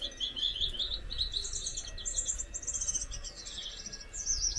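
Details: Gouldian finches kept as a pair: steady high-pitched buzzing song, a chain of rasping pulsed phrases that climbs, dips and climbs again for over four seconds over low room hum.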